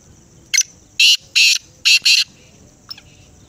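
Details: Black francolin (kala teetar) giving a harsh, grating call: a short note followed by four loud, rasping bursts, the last two run together, all within about two seconds, then a faint trailing note over quiet background hiss.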